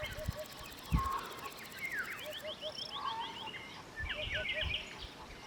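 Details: Eurasian hoopoe on a homestead vineyard and orchard in Northern Albania gives soft, low hollow hoots in quick sets of two or three, repeated every two seconds, beneath busy chirping from other birds, with a few low thumps.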